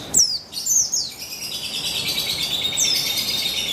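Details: Female Javan white-eye (buxtoni) singing, used to lure males into song: high thin twittering with quick downward-sweeping whistles, then a steady high warbling run, all very high-pitched.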